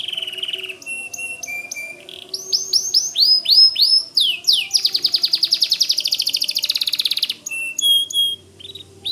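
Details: Energetic white canary song for training White-rumped Shamas: steady whistled tones and swept phrases, then a rapid buzzy roll, ending with a few short whistles.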